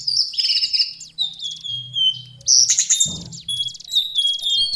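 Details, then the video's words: Lesser shortwing (cingcoang coklat) delivering a high, rambling warble of sweet whistles and fast trills, with a soft low hum underneath. "Master Pancingan Burung cingcoang/jongkangan coklat"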